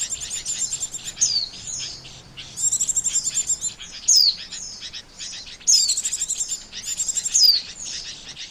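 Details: Lure for trapping, Oriental white-eye: repeated phrases of fast, evenly beaded high trills, each followed by a sharp descending whistled note, over a faint low hum.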